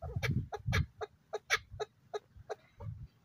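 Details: Short, crisp clucking notes from a male chukar partridge in high spirits, evenly spaced about three a second, with dull low knocks underneath.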